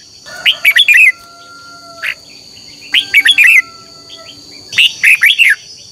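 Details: Red-whiskered bulbul singing in the morning, a contest song used to stimulate other birds: three separate phrases of four or five quick, liquid, warbling notes, spaced about two seconds apart, over a steady thin whine.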